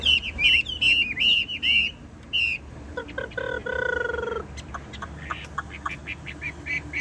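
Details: Caged, well-tamed Chinese hwamei singing: a string of bright, repeated whistled notes in quick bursts for two seconds. Later a lower, steady harmonic tone and softer scattered notes follow.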